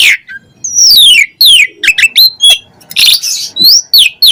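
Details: Asian pied starling pouring out an energetic, chatty song of loud downslurred whistles, short twangy notes and a harsh scratchy burst, with phrases following closely one after another.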